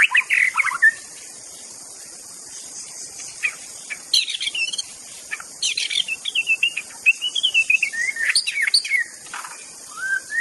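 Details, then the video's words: White-rumped shama singing wild in nature, used as a lure for other shamas: mid-pitched warbled phrases, a quiet gap, then fast runs of chattering notes and wavering whistles, with a constant high insect drone throughout. "kicauan MURAI BATU di alam bebas Tanpa Isian||cocok untuk pancingan murai batu macet"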